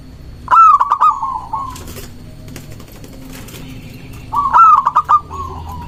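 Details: Local zebra dove in strong song, used as a lure to stir rival doves. Two loud phrases about four seconds apart, each a high rising note trailing into a rapid string of clipped notes that fades into a soft roll.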